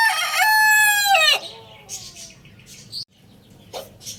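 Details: Lohmann Brown rooster crowing in the morning: a loud harmonic crow held steady and then dropping off sharply after about a second, followed by quieter scattered clucks and rustling.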